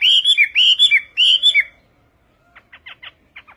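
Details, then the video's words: Chinese hwamei, Vietnamese Họa mi Tây song: loud, ringing whistles that rise and fall in quick pairs for under two seconds. After a pause come soft, dry, clicking chips. "HỌA MI TÂY - TIẾNG HÓT VIỆT"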